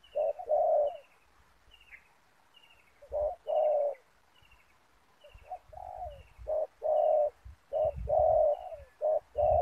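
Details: Spotted dove giving soft, low, mellow coos in short bursts of two or three notes with pauses between phrases, used as a lure bird in ground trapping with snare nets; faint thin chirping from another bird repeats high above.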